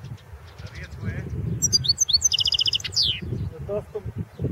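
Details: Competition song of a European goldfinch at the 2016 World Championship in Goldfinch Song: rapid high chirps running into a buzzy trill and a downward slurred note, over noticeable low rumbling and handling noise.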